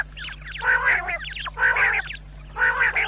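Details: Quail sound for hunters at night: quick wavering chirps lead into three loud grating, quacking bursts roughly a second apart, with a low continuous hum.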